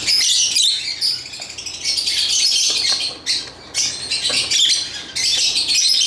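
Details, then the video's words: Shrill lovebird squawks and chirps in dense bursts, with a few abrupt pauses interrupting otherwise constant high-pitched chatter. "Lovebird Chirping Sounds"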